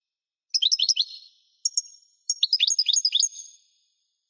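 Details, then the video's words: European goldfinch singing a training song for cage birds: fast tinkling twitters and liquid chirps in three bursts separated by short pauses, high-pitched and clean with no background noise. "Make Your Birds Learn This European Goldfinch Singing"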